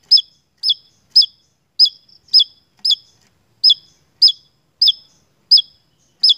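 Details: Javan tesia from Indonesia, a lure recording for songbird keepers: a steady run of short, sharp high notes, each with a quick downward hook, repeated about every half second, eleven notes in all, over a silent background.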